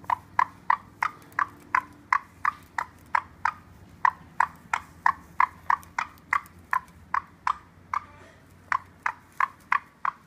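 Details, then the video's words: Indoor caique parrot plotting mischief near an orchid pot: steady series of short, clicking, hiccup-like laugh notes, about three per second and very regular, sustained for ten seconds with one short break. "Evil Laughing Caique Parrot"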